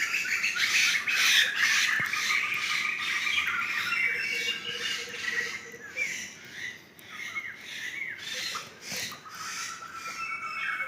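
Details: Wild laughingthrush flock in a Sumatran forest giving dense, harsh, squawking chatter about twice a second. Several birds call over each other, with the noise fading slightly after seven seconds, then rising again.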